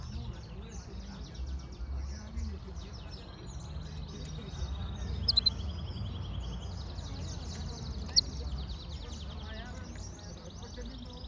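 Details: Yellow-fronted canary (Serinus mozambicus) giving a sustained, high, rapidly trilled song that runs for several seconds, with a few sharp clicks and faint background twittering over a low hum.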